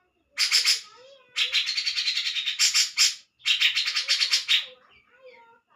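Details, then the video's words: Harsh chattering song of a grey-cheeked bulbul: three long rasping, rapidly pulsed bursts with softer low whistled notes between them. "Burung Cak jenggot"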